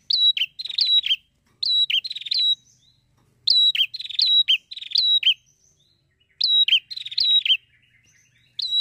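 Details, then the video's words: A lively, persistent prinia song, used to stimulate other prinias to sing. It is made of loud, clear phrases of sharp, chipping notes with a ringing upslurred whistle, delivered in bursts about a second long with short pauses between them, against a silent background. "PRENJAK GACOR"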